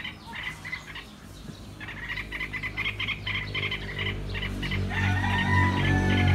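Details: Yellow-vented bulbuls, a family with adults teaching their young to fly in a backyard: bursts of short chirping notes repeated rapidly, over steady low rumbling background noise.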